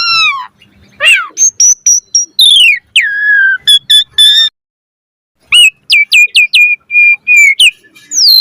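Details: Asian pied starling singing a richly varied chatter meant to teach captive birds: descending whistles and sharp chips, a brief silence, then a series of upslurred whistled notes repeated quickly, ending in a rising buzzy phrase.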